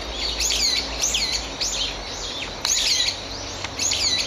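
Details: Brown-eared bulbuls in the woodland of an ecological park give harsh, shrill, down-slurred squeals about every half second, jokingly called an "earthquake alarm", with a couple of sharp knocks in the background.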